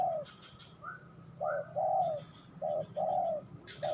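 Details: Spotted dove giving mellow low coos in short-long pairs, plus a couple of brief higher notes, with faint bird chatter behind.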